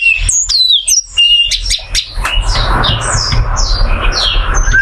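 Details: Oriental white-eye, a handsome bird with a continuous brow stripe, singing a run of thin, high, clear whistled notes that sweep downward, strung quickly together over a low background rumble.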